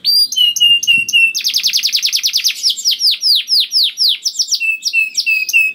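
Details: Energetic canary song with extended rolls, meant to set other canaries singing; a few clipped high notes, then a rapid run of loud downslurred notes slowing into sweeping whistles and short high chirps.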